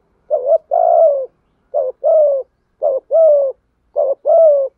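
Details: Spotted doves, male and female, calling to lure and train birds: four low cooing phrases, each a quick double coo followed by a longer, slightly falling coo, repeating about every second; quiet background.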